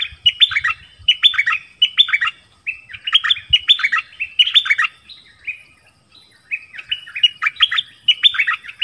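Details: Caged dok taeng decoy calling for a mate in the forest on 13 January 2021, with a wild bird coming in. It sings a lively series of repeated bubbling, whistled phrases with a short gap midway and faint low thuds early on.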